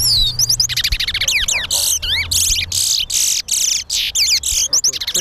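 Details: Chestnut-bellied seed-finch singing in a bird race at a Guyana bird ground: a fast, continuous run of high, sweet whistles, slurred rising and falling notes and buzzy trills, with faint human voices behind.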